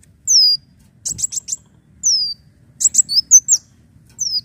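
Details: Leafbird lure song of high falling whistles interspersed with rapid bursts of four sharp chips and varied twittering notes.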